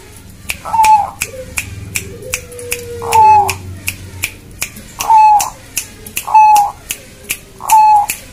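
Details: Bangkok-type zebra dove greeting its owner with a run of five brief rolling coos, spaced about one to two seconds apart, mixed with loud sharp clicking sounds nearby.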